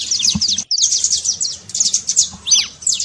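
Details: Saffron finch, called canário-da-terra, delivering a trincado trill to stir a cold canary: dense, tumbling high chirps with a brief break near the start and a soft low thump.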